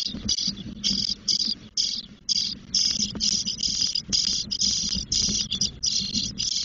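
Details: Ten-day-old spotless starling nestlings in a nest at Doñana, Spain, where the female brings food and removes droppings, give harsh, hissing rasps in quick bursts, roughly two a second, over a faint low hum.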